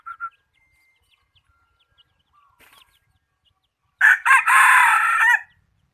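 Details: ['Bird-catching decoy chicken with a good voice: two short clucks, a long near-silent pause, then a loud, broken crow rising and falling for about a second and a half.']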